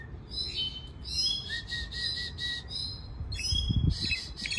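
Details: Mexican goldfinch, cabresto song: high clear whistled notes, some long and level, mixed with buzzy chattering phrases and short pauses, over low rumbling background noise.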